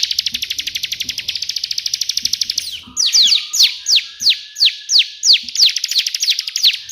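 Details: Bar-winged prinia singing a burst song. A rapid buzzy trill of quick repeated notes runs for nearly three seconds, then shifts into a series of loud, sharply falling whistles spaced about three per second.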